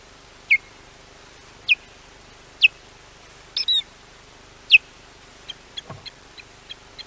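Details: Osprey at Llyn Clywedog, Wales, alarm-calling against a hardly seen intruder on a wildlife camera. Five loud, falling whistled yelps about a second apart, then a run of softer quick ticks.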